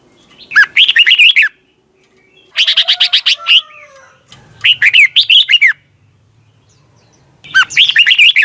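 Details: Competition singing of a red-whiskered bulbul, the morning 'twisted voice' style used to train birds: four bursts of bright, looping whistled notes, each near a second long, separated by gaps of one to two seconds.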